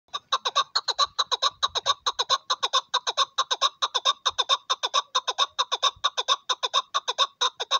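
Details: Excited local hunting chukar partridge calling: a fast, harsh, steady run of clucking notes, about two to three each second, continuing without pause throughout.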